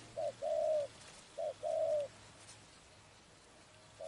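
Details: Spotted dove calling at a trapping spot: two paired phrases of a short coo and longer soft coo, then a quiet pause before another note begins.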